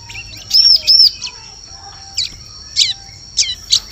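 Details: Ciblek lure sound for forest bird-luring: two sharp arched high chirps, then scattered short buzzy notes spaced about half a second apart, with a faint constant high whine behind.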